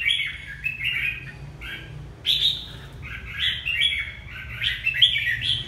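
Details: Red-whiskered bulbul song from Hà Tĩnh province, Vietnam: quick chattering runs of clear, bouncy whistled notes. Phrases follow one another almost without pause, and a louder burst comes midway, over a faint low background hum.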